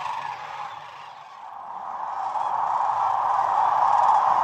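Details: Sandhill cranes in their hundreds of thousands along the Platte River during peak northern migration; the rolling chorus of rattling calls starts softer, dips, then builds steadily louder toward the end.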